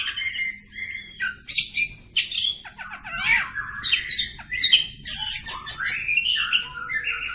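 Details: Long continuous song of an oriental magpie-robin, a varied run of clear whistles, rising slurs, buzzy notes and rapid chattering phrases, changing every second with no pauses.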